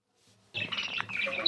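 A budgerigar bursts into scratchy, warbling chatter with quick high chirps after a brief quiet moment.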